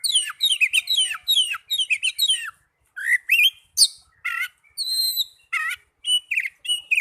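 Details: Oriental magpie-robin song for stimulating caged birds: fast chattering whistled phrases, a brief gap, then separate buzzy notes and a high drawn-out whistle.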